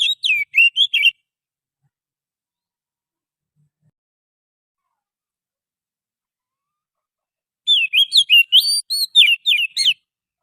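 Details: Forest Oriental magpie-robin song used as a bird-catching lure: a quick string of varied, clear whistled notes, rising and falling, at the start and again near the end, with long silence between.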